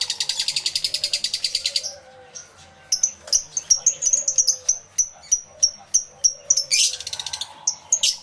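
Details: Lovebirds in an aviary, recorded live in stereo: a fast buzzy trill, then a series of clear, sharp, high chirps repeated about three times a second, with low background hum.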